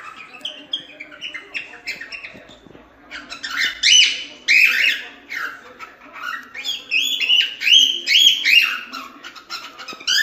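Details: Cockatiel song, natural and intended as a model for chicks to learn: a run of short chirps building into louder warbling whistles, some sliding upward, delivered in uneven clusters.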